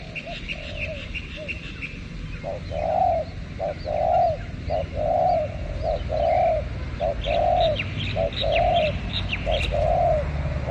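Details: Spotted dove calling behind house plants, for bird luring: soft coos that grow louder, each phrase a clipped note followed by a drawn-out rolling coo, repeated regularly, with distant high twitters and low background rumble.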